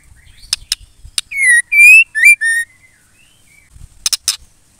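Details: Calls of a female white-rumped shama, said to provoke males into song. Scattered clicks lead into four loud, buzzy notes, some rising and some falling. More clicking and tapping follows.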